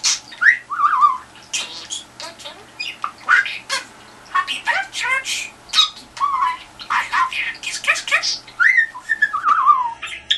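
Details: Pet budgerigar indoors, trying to get a response from a telephone: busy, rapid chattering warble of scratchy squawks, short chirps and quick up-and-down whistled notes, almost without pause.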